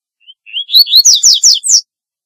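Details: One complete double-collared seedeater song phrase, a corbatita call song used for attracting birds. Thin rising chips speed into five or six loud, buzzy, down-slurred high notes within about a second, then quiet.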